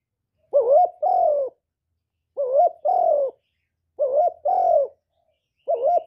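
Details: Spotted dove, a kept bird whose cooing is played to stir other doves into calling, gives repeated two-part coos: a short wavering note then a longer steady one, each phrase about a second, repeated every one and a half seconds.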